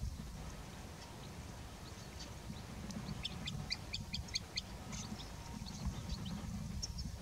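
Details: Green sandpiper wintering in autumn at an irrigation pond by the Tiétar: a series of short, high, sharp piping notes repeated in quick bursts, over steady low rumbling background noise.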